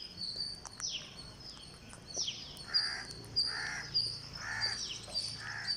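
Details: Green parakeet on day 49 makes four rough, nasal begging calls about once a second while being fed. Sharp high chirps and a few falling whistles come from other birds in the background.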